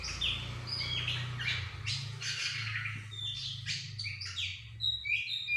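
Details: Sumatran laughingthrush singing as a lure to provoke a reply: a rapid run of varied clear whistled notes and short slurred phrases, some rising, others falling, over a steady low hum.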